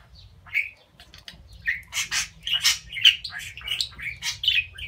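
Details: Talking domestic budgerigar voicing love; rapid scratchy warbling with bright chirps and harsh buzzy bursts that grow busier and louder after a quiet start.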